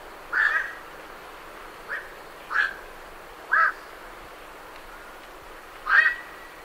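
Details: Night herons departing a roost give short, rasping croaks, five spread over six seconds, heard at medium close range with great reed warblers behind.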